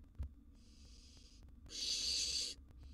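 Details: Nest-box barn owl nestling, wild, begging while fed a gerbil: a quiet hissing note followed by a strong rasping screech about a second long, with a soft knock at the start.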